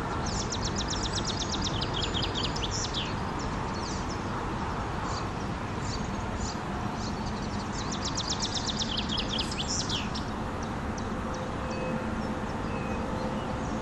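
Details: Icterine warbler (Hippolais icterina) song: rapid bursts of varied, high chattering and squeaky notes, set against a steady roar of nearby motorway traffic.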